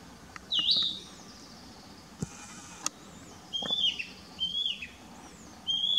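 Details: Narcissus flycatcher singing on 12 May 2017 in Mukaiyama Park, Esashi, Oshu, Japan, filmed on a Nikon COOLPIX P900: short clear whistled phrases, some sliding and warbling, repeated about every second, with two sharp clicks between them.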